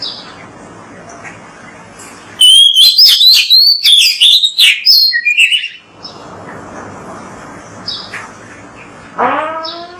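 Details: Oriental magpie-robin, from a training recording to prompt magpie-robins to sing: a loud, quick volley of warbled whistles and chirps, then a quieter stretch of soft background calls and a final descending note.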